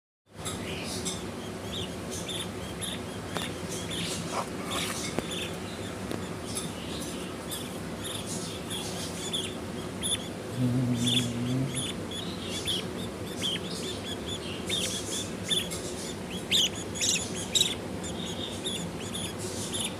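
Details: Breeding budgerigars chatter with quick, high chirps and scratchy notes against a steady background hiss.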